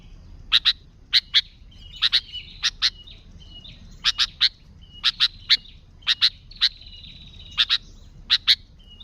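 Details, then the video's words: Sooty-headed bulbul song used to lure wild bulbuls, with no other birds mixed in: short sharp chirps in pairs and triplets, each ending in a brief level whistle, repeated steadily over quiet background. "Suara Burung Kutilang Gacor ASLI Tanpa isian, Ampuh untuk Pikat Kutilang"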